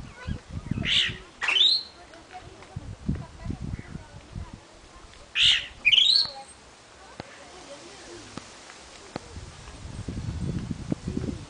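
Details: A wild Chalk-browed mockingbird (Mimus saturninus) on a hill in the Seridó sertão, Florânia, Rio Grande do Norte, Brazil, gives two paired bursts of harsh, scratchy notes about four seconds apart, over low rumbling background noise.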